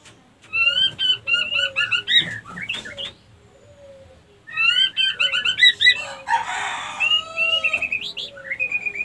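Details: Female white-rumped shama used as a lure to stir other females into breeding readiness; repeated chattering chirp series and sweet whistles in two bursts separated by a quiet pause, with a brief noisy rustle.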